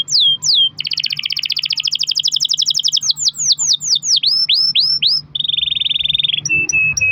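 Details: Canary in full long-roll song, used to prompt other canaries to sing: high whistled downslurred notes, then a fast trill, a run of sweeping slurs, a steady buzzy roll and clipped repeated chips.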